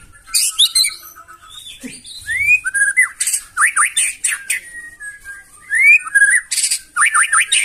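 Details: Rough, loud song of a white-rumped shama meant to set off other birds: scratchy high notes, then repeated upswept whistles and quick looping phrases.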